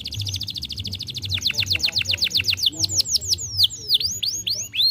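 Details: Canary song meant to stimulate a young canary: a rapid series of high down-slurred whistled notes, speeding and shifting into sweeping rising and falling notes, steady and loud throughout.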